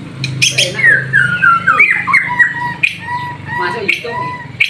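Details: White-rumped shama bathing in the afternoon and singing actively. Slurred whistles glide down, mixed with mid-pitched notes and sharp high chips, over a steady low hum.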